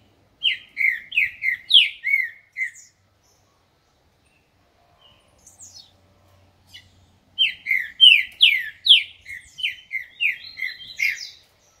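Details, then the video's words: Green-winged saltator, a 'dobrador de canto' singer said to sing loudly, gives two bursts of rich, slurred whistles, each a run of about six to eight quick descending notes, with a few seconds of near silence between them. "TRINCA-FERRO DOBRADOR DE CANTO ESTE CANTA ALTO"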